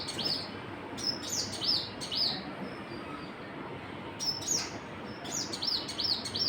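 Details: Birds chirping: bursts of short, arched, high-pitched chirps repeated in quick runs, with a pause between the first and second groups. A steady low hiss of background noise runs throughout.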